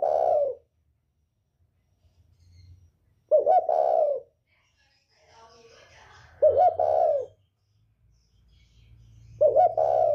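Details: Northern spotted dove with a 'còi bổi' voice, a call used to provoke other birds: four low hoarse coo phrases repeated about every three seconds, each a broken double start and a short falling coo, over faint humming.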